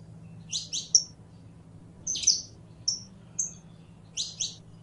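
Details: Canario criollo, the Saffron finch, sings in bursts of paired high chirps mixed with short clear whistled notes, phrases spaced by brief gaps, a low steady hum beneath.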